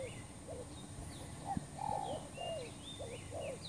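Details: Spotted dove call played as a trapping lure, a run of short low hooked coo notes, some slightly longer and rolling, over faint higher bird chirps and steady background hum.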